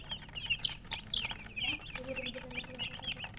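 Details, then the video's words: Chicks of domestic chicken chirping loudly: a cluster of high, sliding peeps and squeaky notes from several birds, plus a lower drawn-out cluck-like tone in the second half. "Baby "Chicks Chirping" Sound"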